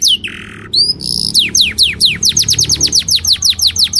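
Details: Canary song meant for teaching young birds and readying females to breed: a buzzy low note, then high whistled sweeps and a fast run of about fifteen repeated downward-slurred notes, loud and clear.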